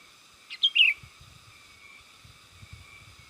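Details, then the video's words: Sooty-headed bulbul lure call used to attract and excite wild bulbuls: two quick bright warbled notes with a slurred falling phrase near the start, then steady faint high hissing background. "SUARA PIKAT BURUNG KUTILANG GACOR 100%AMPUH UNTUK SUARA PANGGILAN DAN MASTERAN"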